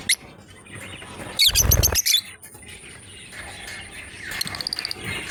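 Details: Two lovebirds playing together: one loud, half-second burst of tight, high squeaky chirps, then a stretch of soft background hiss and a quick patter of faint chirps near the end.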